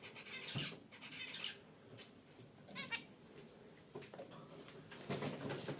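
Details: Pet zebra finches relaxing in their cage beside a wicker basket nest, in original unedited audio. Short nasal, harmonic honks and chirps come in scattered bursts, some doubled, over a quiet room hiss.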